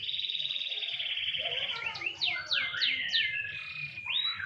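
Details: Canary sunbathing lightly, holding a long steady whistled trill, then breaking into spaced descending slurred notes and a final rising whistle.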